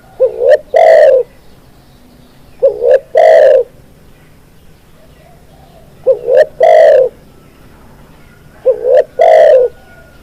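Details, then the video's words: Spotted dove song, four three-part phrases: a brief rising coo, a sharp note and a long deep coo, the first pair close together and the last two after a longer pause, recorded for bird training over low hum. "SUARA BURUNG TEKUKUR"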